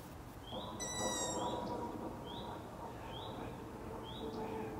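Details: Night-time begging by Long-eared owl young: high, short, rising squeaks repeating about every second, one buzzy tonal note early, and a faint steady hum underneath.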